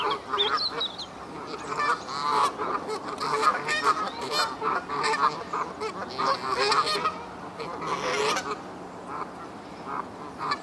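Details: A flock of Canada geese in the Hertener Schlosspark honking continuously, many birds overlapping in a busy, raucous chorus of harsh, clipped calls with a faint rising whistle near the start.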